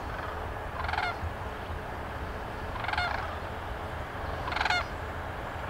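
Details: Sandhill cranes calling near Grantsburg, Wisconsin at a prairie homestead: three rattling, bugled bursts spaced roughly two seconds apart, each a rolling trill, with steady low rumble behind.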